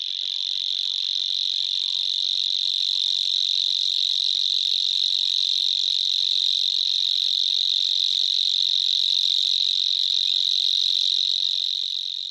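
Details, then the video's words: A long, unbroken, mechanical reel from a grasshopper warbler of the genus Locustella. The very fast, even, high-pitched trill stays steady and loud for over twelve seconds, then tapers slightly at the end. "Сверчок. Голоса птиц"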